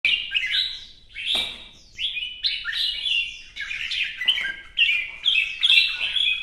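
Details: Red-whiskered bulbul, a kept songbird in fresh plumage, singing competitively while dancing and fanning. Bright warbled phrases, each about a second long, rise and fall in quick bursts with short pauses. The room is otherwise quiet.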